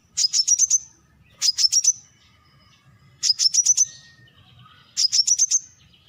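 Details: Brown-throated sunbird giving bursts of five or six rapid, sharp, high chips, each burst repeated about every one and a half seconds, with faint softer birds behind.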